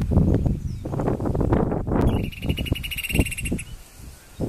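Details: A Loggerhead Kingbird filmed in Caguas sings its peculiar song, likened to a whistle or small maraca: a rapid, buzzy chatter of high repeated notes lasting about a second and a half, over heavy low rumbling wind or handling noise.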